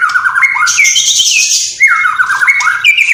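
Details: White-rumped shama in vigorous song with copied sparrow, fighting lovebird and kapas tembak calls: loud whistled notes that slide and step between pitches, with a brief buzzy high burst in the middle.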